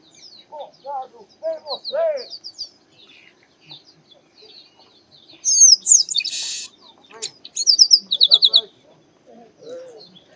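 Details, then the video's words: Chestnut-capped blackbird singing in the sertão of Bahia, northeastern Brazil: soft warbled lower notes, then whistles, a buzzy rasp and a run of about seven rapid high chips. "Canto Do Garibaldi"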